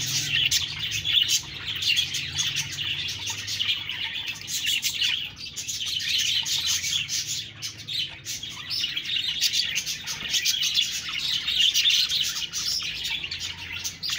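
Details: Budgie chirping and chattering that rises and falls in loudness, with rapid high twitters and squeaky notes throughout, plus a brief softer dip midway.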